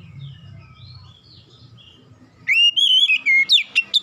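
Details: Oriental magpie-robin singing as therapy to make a silent bird sing: faint distant warbles and low hum at first, then a loud burst of clear whistles ending in quick sharp repeated notes.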